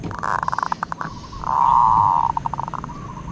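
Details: Zebra dove singing, praised for its fine 'od' trill: a quick pulsed run of notes, then a long, steady, burring trill that breaks into a stuttering string of fast staccato notes. Faint low background noise.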